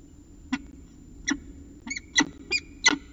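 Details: Peregrine falcon calling at dawn in Orange, 25 December 2019: a run of six raspy chipping notes, spaced at first and then quicker, the last ones louder and harsher, with low hum behind.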